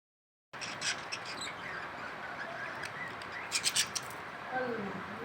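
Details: Captive budgerigars give scratchy, high chirps over a steady background hiss, with a quick burst of sharp notes near the end.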